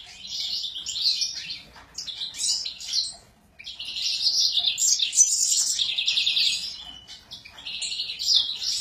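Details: Sura in an excited state, pouring out fast, high twittering phrases with jumpy trills, pausing briefly near the middle before resuming a long continuous warble.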